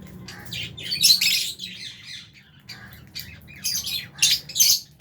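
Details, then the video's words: Lovebirds, albino and Fisher's, feeding together in an aviary with budgerigars; loud rasping squawks and high chirps in bursts near the start and end, softer twitter in between. "Lovebirds Chirping Sounds"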